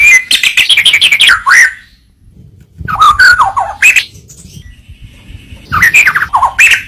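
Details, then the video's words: Murai batu, or white-rumped shama, singing as masteran material: rapid chattering, richly mixed phrases, then pauses before further bursts of rolling, descending whistles and harsh notes. "Masteran burung murai batu suata unik sukses bikin emosi"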